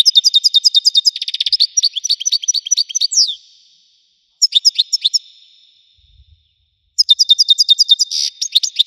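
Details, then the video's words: European goldfinch of the Wedani type with a powerful voice: high, bright twittering bursts of rapid chirps and trills, broken by short silences, then resuming in fast tinkling runs. "حسون ويداني حصري صوت مزلزل"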